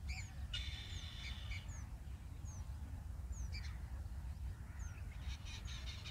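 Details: Indian robin (Copsychus fulicatus) chicks in the nest beg for food as a parent feeds them: thin, high, downslurred squeaks about once a second, with a short buzzy chatter early on, over a steady low rumble.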